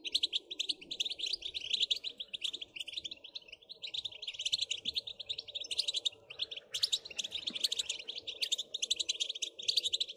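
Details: European goldfinch twittering song, meant to stimulate other goldfinches to sing without pause: long continuous run of fast, bright, tinkling notes, almost unbroken for ten seconds over a soft low hum.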